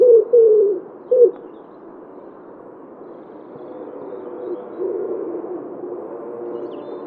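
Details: Common wood pigeon in Wittlich, recorded in 2017, giving a few low, hollow cooing notes at the start, followed by a long stretch of steady background rumble with faint softer coos.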